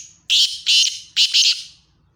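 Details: Black francolin calling: loud, harsh, grating notes given in three rapid bursts, the first single and the last two run closely together, each scratchy and broad-toned, against a quiet background with faint low rumble.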